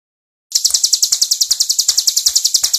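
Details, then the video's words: Tame hill prinia singing vigorously in a continuous gacor-klowor style: after half a second of silence, a fast, even run of high, dry, buzzy notes of about ten per second, each note sharply accented. "CIBLEK GUNUNG JINAK GACOR-KLOWOR"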